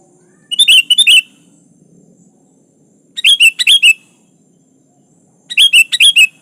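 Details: A sooty-headed bulbul calls out to a rival with three short liquid phrases, each a tight run of chirpy, slurred notes, spaced roughly two and a half seconds apart; nothing else audible.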